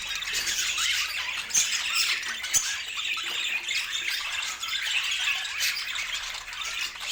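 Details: Pet budgies chattering together indoors: a dense, continuous mesh of high scratchy warbles and chirps with no pauses, many birds calling at once.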